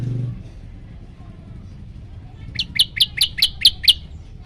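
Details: Yellow-bellied prinia, recorded to agitate birds that hear it: a faint low rumble at first, then after a quiet stretch a quick run of six sharp, high chirps near the end.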